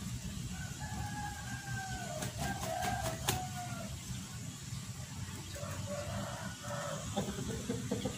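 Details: Rooster and hen on a chicken farm. A drawn-out, tonal, wavering call runs for several seconds, like a crow. Sharp knocks are heard around the middle, over a steady low rumble.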